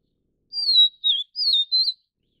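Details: Vivid niltava, Taiwan's endemic subspecies vivida, during chick feeding: one loud phrase of four high whistles, the first long and falling, the next notes short and wavering, with silence around it.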